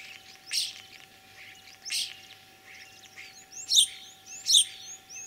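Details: Mimicking common starling, Tver region, Russia, spring, 9 April 2023: crackling broadband rattles at intervals, then loud shrill bursts mixed with quick upward-flicking whistles, close and clear over a quiet background.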